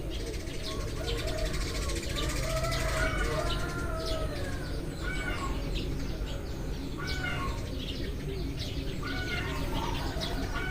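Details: Eurasian tree sparrows chattering at daybreak, with many birds giving rapid, irregular chirps and twitters that overlap into a busy stream, and steady low noise behind.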